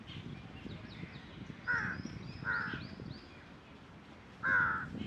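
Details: Black jungle crow calling, recorded 4 July 2021: three loud, rasping caws, two close together and then a third after a pause, with faint high chirps of other birds and low background rumble.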